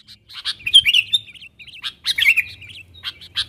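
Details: Sooty-headed bulbul calling its wild companions as a lure for wild birds; short chirps lead into two bubbly, tumbling warbled phrases, then a couple of isolated chirps.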